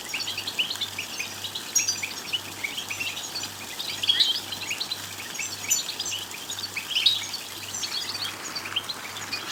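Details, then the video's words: Goldfinch song aimed at getting goldfinches to sing: steady stream of quick, high twittering chirps and short trills, peaks around four and seven seconds, with a soft throbbing hum below. "بتبتات لتحفيز الحسون على الغناء والتغريد بصوت قوي"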